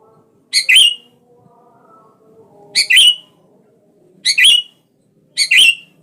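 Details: Sooty-headed bulbul calling to stir a rival into singing: four sharp, bright double-note chirps about every one and a half to two seconds, with faint low tones drifting beneath.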